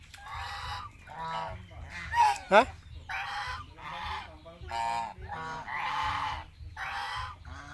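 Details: Flock of farm geese in Asia honking repeatedly, about one harsh nasal call per second, with a sharp squeak near the middle and a low rumble underneath.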